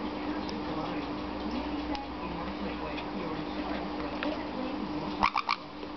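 A sun conure gives three quick, harsh squawks near the end over a steady indoor hum.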